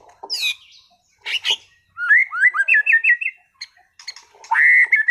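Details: Caged White-rumped shama, a competition-class bird in Sragen, sings varied song: clear whistled phrases around mid pitch, fast rising and falling notes in rapid runs, interspersed with brief dry clicks.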